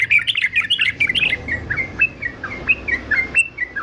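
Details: Yellow-vented bulbul, a fighter male kept for singing training: fast jumbled warbling at first, then evenly spaced clear chirped notes, roughly two or three a second, over a low background hum.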